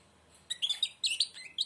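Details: A blind European goldfinch, beak nearly shut, gives a brief, quieter burst of high twittering chirps and short trills above low background noise.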